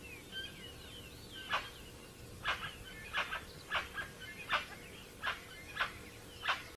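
A Plain Chachalaca gives harsh, grating calls, about nine notes repeated roughly every half second. Faint chirps from other birds are heard at the start.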